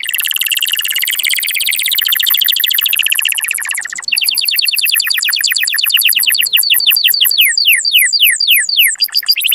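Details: Canary breeding song to excite males and females: a long, dense buzzy trill for four seconds, then rapid repeated descending slurs that slow into distinct sweeping notes.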